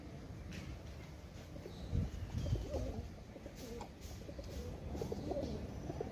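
Pigeons coo in low, soft, throaty murmurs, several birds overlapping in a steady muffled hum with some rustling in a small enclosed space.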